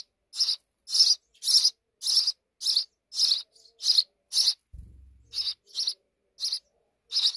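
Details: Sparrows at a deep nest inside a wall, giving short, harsh, clipped chirps repeated roughly twice a second in a steady series, with a brief low thump midway and otherwise quiet surroundings.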